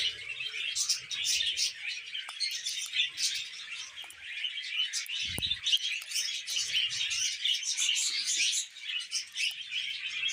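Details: Budgerigars chattering steadily: dense, high warbling and scratchy chirps run without pause, with short bright notes and fast twitters layered over one another, plus a brief low thump near the middle.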